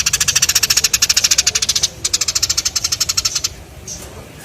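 Eurasian tree sparrow giving two fast, harsh chattering rattles, about a dozen dry notes per second, each burst lasting under two seconds.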